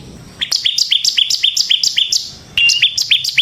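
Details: Bar-winged prinia (ciblek semi) in full 'ngebren' song, used as a lure to set off other prinias. High, sharp chirped notes repeat quickly about four per second in two runs, with a louder, closer burst after a brief pause.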